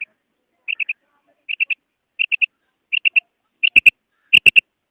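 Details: Female common quail calling: clipped, high three-note bursts repeated roughly every three-quarters of a second, with the final groups louder and sharper; nothing else audible.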